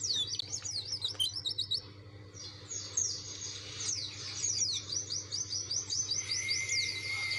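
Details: Pleci dakun white-eye insistently seeking an opponent, its song a fast, high chattering run of sweeping slurred notes that pauses briefly, then resumes, ending beside a long even whistle, over a faint steady hum.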